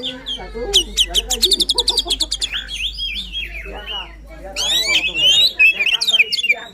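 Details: White-rumped shama singing energetically, a caged bird used to stimulate a quiet shama to sing: rapid run of sharp repeated chips, then varied whistled and buzzy phrases with rising sweeps, loud and dense throughout.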